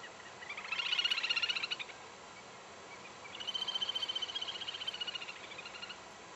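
Little grebe giving two long, rapid, high-pitched whinnying trills, the second longer and steadier, over faint background hiss.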